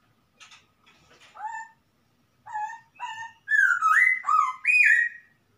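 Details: Wild masked laughingthrush from the forest singing: a few soft scratchy notes, then clear whistled two-part phrases, building into loud, rich, upslurred whistles repeated in quick succession near the end.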